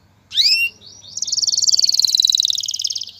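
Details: Male canary courting a female toward mating and nest building: a loud upward-swept whistle, then a long rapid high trill gradually descending over two seconds.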